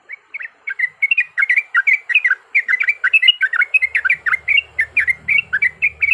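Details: Yellow-vented bulbul in a lure recording meant to trigger fighting song: a fast, steady run of bubbly, chirpy notes that dip and rise, about six per second, with a faint low rumble in the second half.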